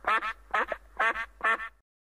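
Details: Four loud, nasal duck quacks, each split into a quick double pulse, evenly repeated about every half second, then silence.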